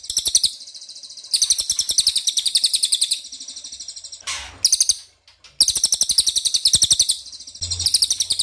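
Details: Ashy tailorbird lure sound intended to get birds to respond: near-continuous fast high-pitched rattling trills in long bursts, broken by a short noisy sweep and a brief gap.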